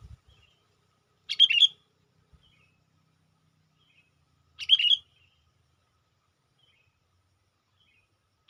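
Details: Sooty-headed bulbul used as a lure to call in wild bulbuls; two short bursts of bright chirpy notes about three seconds apart, with long quiet gaps and a faint low thump at the start.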